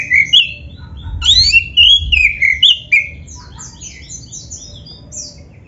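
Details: Black-breasted oriental magpie-robin song played to prompt caged birds to sing, with clear whistled notes sliding up and down, then a run of quick high twittering phrases, fading toward the end over a low hum.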